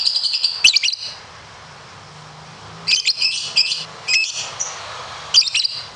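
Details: Lovebird, a competition bird, in the long 'ngekek panjang' style: harsh, buzzy high chattering bursts, a short one near the start and then several more separated by quiet gaps.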